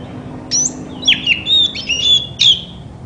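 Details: Song of a white-rumped shama used to get quiet shamas singing; a high chip, then sweet drawn-out whistles, and a final bright note.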